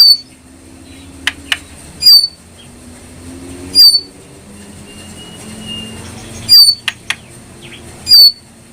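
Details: ['Brown prinia repeating a piercing, metallic note with a downward slur, four times in succession. Brief clicks and a faint drawn-out whistle fill the gaps, and a low hum runs underneath.']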